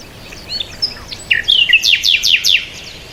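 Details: Chirping bird delivering a lively phrase of short whistled notes that builds into a fast series of loud, slurred, descending chirps, over a quiet background.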